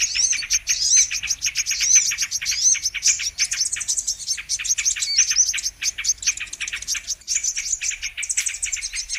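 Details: Brown-throated sunbird song used to lure birds into traps: an unbroken, busy chatter of very high, fast ticking chirps and thin whistles.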